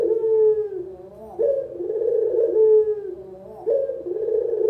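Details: Local collared dove (puter lokal), recorded as a tutor and lure sound for beginners: low, rolling coos with a purring trill and a gliding tone, repeated about every two seconds, nothing else heard.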